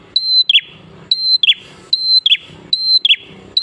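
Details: Energetic prinia song used as a lure to prompt other prinias to sing. Each phrase is a level, piercing whistle, then two fast downward chirps, coming a little under once a second with faint low background noise.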